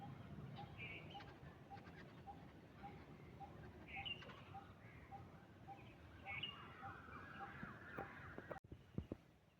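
Jungle babblers give harsh, squeaky chattering bursts and a falling rattle, over a steady series of soft low notes from another bird and background rumble.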